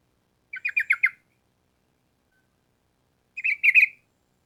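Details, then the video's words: Clear, close sooty-headed bulbul in 'gacor' song. A quick phrase of four repeated rolling notes, then after a silence a short burst of slurred bubbly notes. "Trucukan Gacor Ampuh Untuk Masteran Burung Trucuk Supaya Cepat Nyaut Bunyi Ropel Panjang"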